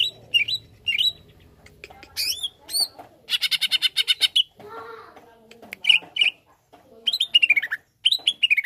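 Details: Greater green leafbird mixing slurred whistles and chirps with a dense buzzy rattle of rapid notes, a short gap, then bright ringing notes and a quick run of descending whistled chirps; a faint low hum in the background.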